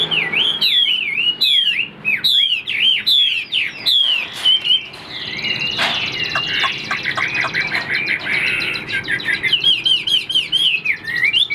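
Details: Caged Chinese Hwamei pouring out a varied song of bouncing whistled phrases and rapid trills, with occasional clicks behind.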